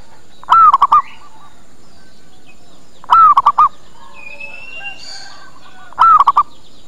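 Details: Zebra dove lure call, used to draw other birds in quickly and get them to answer. Three cooing phrases about three seconds apart, each a bright rising-falling note and then three or four short soft coos. Faint whistles from other birds in between.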